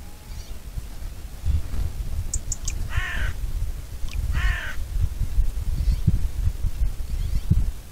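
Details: Bonelli's eagle (Aquila fasciata) giving two harsh, harmonic-rich calls about a second apart, each with arching, falling tones, over steady low wind rumble.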